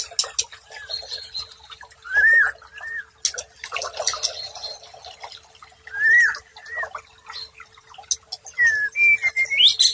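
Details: White-rumped shama song used as tutor and therapy audio for stressed shamas that have stopped singing: loud, rich whistled phrases that rise and fall, repeated every few seconds, with busy clicking chatter and faint watery noise behind.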